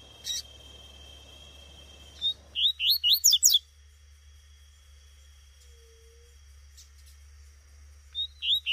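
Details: Female double-collared seedeater calling in the bush; short bursts of rapid high, squeaky zigzag notes, repeated in quick series with silent gaps, over a steady faint whine and low hum.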